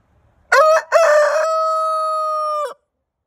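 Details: Pet rooster crowing loud and close: two short choppy notes followed by a long, steady, flat drawn-out tone of about a second and a half, ending abruptly, with silence around it.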